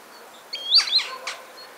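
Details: Green sandpiper giving its spring song, recorded 24 January 2015: two brief, clear, upslurred whistles close together, followed by a softer trailing note against faint background hiss.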